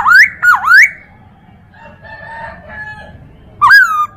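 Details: Chinese hwamei song, a tutor recording meant to train other birds. It opens with two loud, swooping whistled notes, then goes quiet under faint background chatter and low rumble, and ends with another strong slurred whistle.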